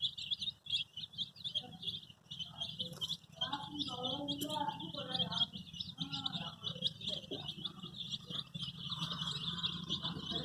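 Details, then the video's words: Baby chicks dyed in bright colours such as red, yellow, green, pink, purple and orange, calling for their mother; a dense, steady stream of high, thin peeping chirps, with human voices talking underneath throughout. "Cute baby chicks chirping sounds|Sounds of Hen kids|Baby chick looking for mother's love"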